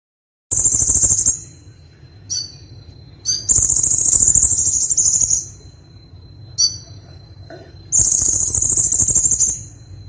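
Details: Van Hasselt's sunbird singing energetically in a full-variety song: long, very high buzzy trills lasting over a second, alternating with short thin whistled notes, loud and close.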